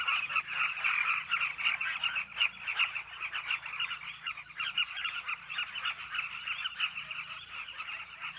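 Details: Nesting colony of Carmine bee-eaters on a cliff, a thick chattering chorus of countless short rolling calls, louder in bursts during the first seconds, then a steadier murmur, with occasional faint clicks.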